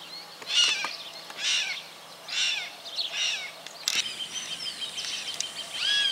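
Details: Southern crested caracara in Santa Fe, Argentina, 2019. Four rough, scratchy calls come at intervals of just under a second. Afterwards, thinner whistled notes and a sharp click follow over light background noise.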